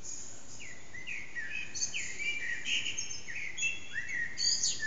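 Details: Eurasian blackbird singing in an echoing backyard around 4:30am, recorded on an HTC Desire phone with the bird out of sight: a run of mellow warbled phrases, each ending in thin, high twittering notes, with steady background hiss.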